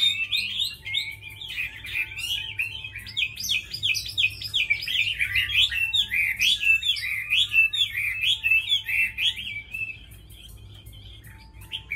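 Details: Tame hwamei said to fight well and sing beautifully, pouring out a long, continuous run of varied whistled and chattering notes, rich and tumbling, before the song trails off into near quiet.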